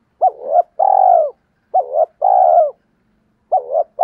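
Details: Spotted dove lure call for attracting wild doves, three phrases roughly every one and a half seconds, each a short wavering double note followed by a long, steady coo that falls away at the end.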